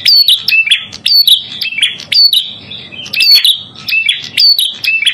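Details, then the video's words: Prinia song used as a lure and training sound for trapping: loud, high, sharp chirping phrases with rapid descending and level notes, repeated in bursts about every second, with faint low background noise. "Masteran Burung Prenjak Kepala Merah"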